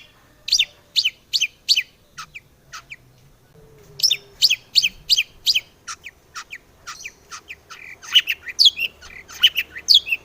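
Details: Long-tailed shrike song for prompting other shrikes: evenly spaced sharp chirps in runs of four or five, a pause, another run, then a busier mix of twittering notes.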